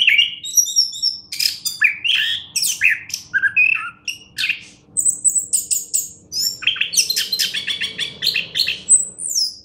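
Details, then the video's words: A champion orange-headed thrush sings varied, high-pitched phrases: piercing whistles, dry rattles and rapid repeated chirps, running almost continuously for the whole stretch. "anis kembang juara"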